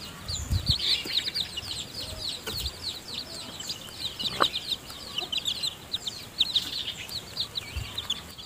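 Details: Many newly hatched chicks in the nest peep continuously in thin, high chirps while the mother hen feeds them; one low cluck stands out midway.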